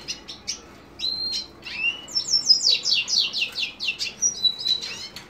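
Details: Lesser goldfinch, subspecies jouji: clear high whistled notes, some level and some sliding down, followed by a rapid series of slurred chirps and a final whistled phrase, loud and clean.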